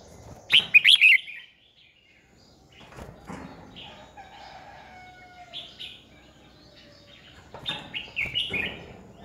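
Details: Decoy Red-whiskered bulbul, 2020 fighting-song training: one sharp, loud warbled burst at the outset, a long near-quiet gap with faint whistles, then a closing cluster of chirpy notes.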